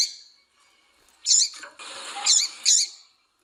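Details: Female double-collared seedeater calling to excite and stimulate a male into singing: short high sharp chirps, three in close succession after a pause, over a hissing, rustling background.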